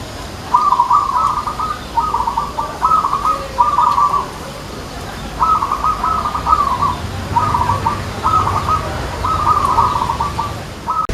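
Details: Zebra dove (perkutut) anggungan song played as a contest example, three beats with a tight interval that earns more judging points: repeated groups of rolling, trilled coos, each phrase made of close-set beats, with short pauses between groups.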